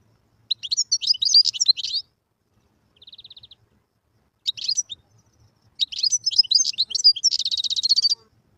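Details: Wild European goldfinch song: bursts of rapid, high, tinkling twitters, a short buzzy trill in between, then a long phrase ending in a fast rattling buzz; the background is quiet.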